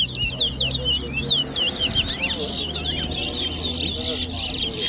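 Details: Wessequibo towa towa, the large-billed seed finch, in a whistling competition at Tuschen bird ground, Guyana; dense high zigzagging whistled notes repeated rapidly, a man's low voice and short noise bursts alongside.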